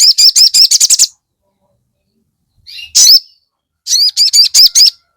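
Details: Crested jay (sogon) calling to provoke rival sogon and quicken breeding drive: rapid runs of seven or eight sharp high chirps in about a second, a brief pause, one louder note, then another fast chirp series.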